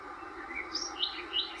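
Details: A White-throated Robin-Chat at lunch in Olifants Rest Camp, Kruger, South Africa, gives a few brief, high, clear whistled notes, each sliding slightly, spaced about a third of a second apart over soft hiss.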